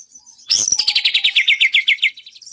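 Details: Training recording of White-rumped shama song for songbird contests: a loud burst opens a rapid series of about twelve evenly spaced, slurred notes that step gradually downward, ending with a faint high whistle.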